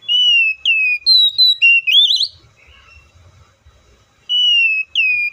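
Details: Copsychus saucaris, the oriental magpie-robin, sings bright whistled phrases: a run of six quick notes, some rising into wavering upslurs, then a pause of about two seconds before two more sustained, slightly falling whistles.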